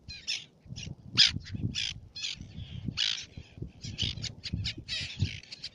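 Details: Black-naped terns on Fares, Baa Atoll, Maldives, uttering strong scratchy high calls, some drawn out and some short and sharp, spaced irregularly, with faint low wind underneath.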